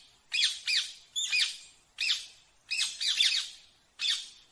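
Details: Rose-ringed parakeet gives raspy, rising-and-falling squawks, singly and in pairs, spaced under a second apart in a quiet setting.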